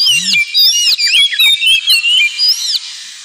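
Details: Oriental magpie-robin singing ngemplong-style song as therapy for pet birds: rapid sequence of looping, sliding whistles over about two and a half seconds, after a low arched sound at the start, then quiet.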